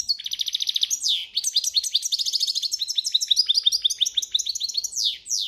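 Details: A European goldfinch in breeding season pours out campero-style song, an unbroken run of fast twitters, buzzy trills and falling slurs over five seconds.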